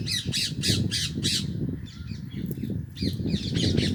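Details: Rose-ringed parakeets, Indian green ringnecks housed indoors, screeching loudly: a rapid run of five harsh, grating, evenly spaced shrieks, a short lull, then another burst of rasping calls, with low indoor rumble underneath.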